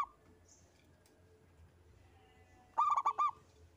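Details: Local zebra dove in the 'engkel' song style, used to prompt other doves to sing: a quiet start followed near the end by one loud, fast phrase of four rolling coos.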